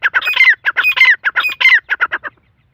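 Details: Irani teetar, the black francolin, calling in loud, scratchy clustered notes, three quick harsh phrases in succession that end abruptly, leaving silence.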